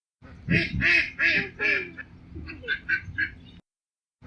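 A duck gives a series of about seven harsh, nasal quacks, four loud ones then three softer, over three seconds.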